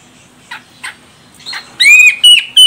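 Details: Calling female grey-cheeked bulbul from Medan, Sumatra, used to make males sing: a few soft raspy notes followed by three loud, clear whistles that rise then hold level, in quick succession.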